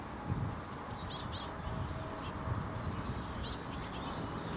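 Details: Eurasian blue tit fledgling waiting in a bush for food, filmed with a Canon HV20 camcorder: two runs of four or five thin, very high begging notes, about a second apart, with fainter notes between and a steady low background hum.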